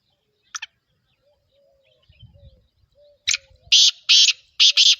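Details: Black francolin (kala teetar) call: an early brief rasp, faint level whistles and low rumbling, then a burst of four loud harsh buzzy notes grouped in pairs near the end.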